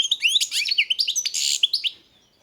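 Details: European goldfinch song: a fast, continuous run of liquid twittering notes and buzzy trills, with many quick rising and falling slurs, lasting about two seconds before fading out.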